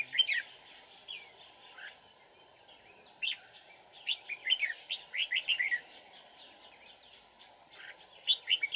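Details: Decoy red-whiskered bulbul at a trapping site, Dong Nai, Vietnam, 31 March 2019, giving scattered bursts of quick, lilting chirped notes separated by pauses, over a constant hum.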